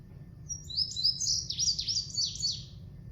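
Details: Indigo bunting (Passerina cyanea), a summer bird in Kansas, sings a long, complex song: a quick run of high, sweet, slurred notes, several repeated back to back in paired phrases, over a soft low hum.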